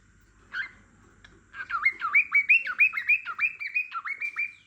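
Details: Pet cockatiel singing beside a dozing lovebird: a single short note, then a quick run of clear whistled notes rising and falling between mid and high pitch, repeated about three times a second in a lilting warble.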